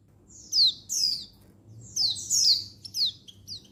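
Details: Mature female Oriental white-eye (pleci) calling males, recorded 19/11/22: rapid bursts of overlapping shrill downslurred notes, bunched into quick runs, over a low background murmur.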